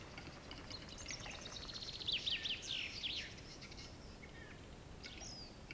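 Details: Male western capercaillie displaying among 23 females, a Norwegian record: a quick two-second run of dry, high clicks and scraping whetting notes over a steady hiss of outdoor noise.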